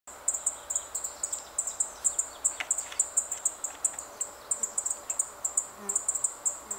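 Chestnut bunting giving very high, thin ticking calls, three or four a second in a steady run. Faint lower bird notes sound in the background.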